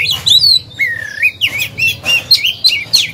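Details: Oriental magpie-robin decoy bird in a cage, singing to provoke others into song: loud swooping whistles, a long rising slur, then quick looping warbles.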